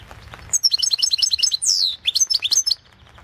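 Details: European goldfinch, Balkan form, from the 2016 online World Championship in Goldfinch Song: continuous fast tinkling twitter, a long falling slurred whistle, then another rapid burst of bright chirps.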